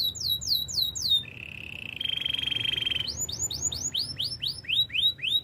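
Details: Belgian canary training song with quick hooked whistled notes, a long rattling trill in the middle, then a string of rising whistled sweeps roughly four per second.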